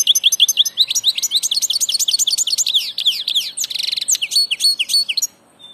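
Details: Lively continuous song of a migrating European goldfinch: rapid cascade of slurred chirps and twitters with a buzzy trill near the end, lasting over five seconds.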